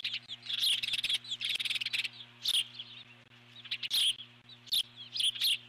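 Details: Nesting eagle alert-calling at an intruding large bird near the nest. Rapid bursts of shrill chittering notes come in quick series, separated by short pauses, over a constant low hum.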